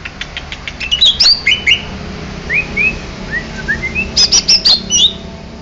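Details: Greater green leafbird from Banyuwangi singing: bursts of sharp high chirps alternating with clear rising and falling whistled notes, then a run of quick ringing notes near the end.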